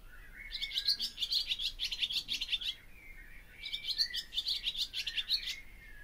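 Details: Song of a barn swallow (Hirundo rustica): two bursts of rapid, high, chattering twitter, each about two seconds long, separated by a brief gap, with a faint lower tonal note underneath.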